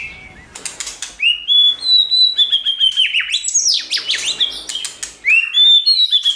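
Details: White-rumped shama singing in many voices to stimulate another shama: sweet high whistled phrases, sliding and dropping notes, in rapid, varied sequence after a few sharp clicks.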